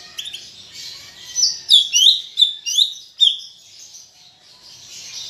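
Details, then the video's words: Greater green leafbird singing, meant to prompt caged leafbirds to sing: a lively cluster of five or six sharp, twisting high whistles between quieter stretches of continuous soft chatter. "Ocehan Cucak Ijo Gacor untuk Pancingan Bunyi"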